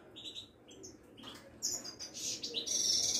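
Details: Caged Moroccan Widani goldfinch, linked to a Casablanca bird market. It gives scattered high chirps and short whistled notes, then a louder, harsher, hissing twitter at the end, with some background noise.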